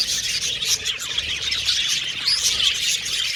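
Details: Several Australian budgies whistle, chatter and sing, a dense flow of rapid high chirps with a few distinct upward whistled notes over the warbling.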